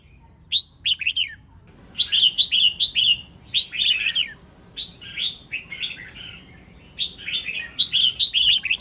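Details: Female red-whiskered bulbul singing to stimulate males; after a few opening chirps, a nearly continuous stream of quick warbled, slurred whistles in rolling phrases.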